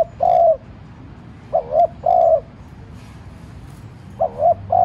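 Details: Decoy spotted dove cooing to stir wild doves into calling; low, mellow phrases of two quick coos followed by a longer held coo, given twice, over quiet background hum.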